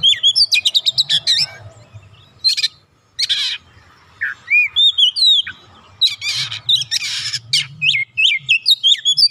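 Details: Oriental magpie-robin, an untrained bird, quickly starting to sing vigorously: a fast run of repeated sharp notes, then harsh buzzy bursts and looping whistled slurs alternating with short gaps, a low background hum underneath.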